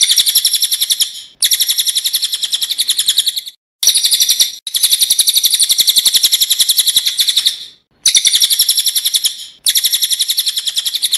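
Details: Cililin singing loud and sharp, a master recording for training songbirds: long runs of rapid, piercing high notes repeated about four times a second, broken by short silent gaps.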